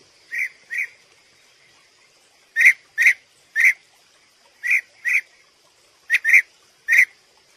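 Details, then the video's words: A European bee-eater sings with short, rolling, liquid 'prruip' notes, often in pairs, about nine in eight seconds, over a steady high insect hum. "CANTE DE ABEJARUCO"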